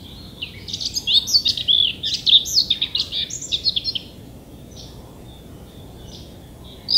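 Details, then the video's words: Common whitethroat singing in Denmark in summer, among thickets and bushes: one hurried, scratchy warble of jumbled high notes lasting about three seconds, followed by a few faint scattered notes and a last brief burst. "Tornsanger - Sådan synger Danmarks fugle"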